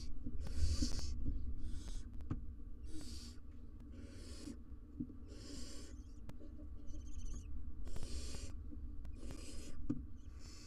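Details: Barn owls in a nest box with their three nestlings, filmed wild on a live camera: loud rasping hisses of about half a second come in a steady series, with occasional faint twittering and rustling between them.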